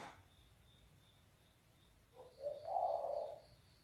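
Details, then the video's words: Spotted dove with a deep, very loud voice, heard at a distance: after quiet background hum, one phrase of short low coos building into a long, rich coo near the end. "Burung Derkuku Suara Bass,Keras Banget"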